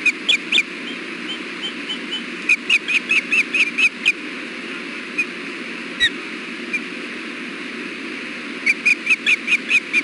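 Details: Ospreys at their nest, fish delivered on an afternoon in June 2016: scattered high chirps, then a run of sharp whistled notes, sparse single calls, and a final quick burst, over continuous background noise.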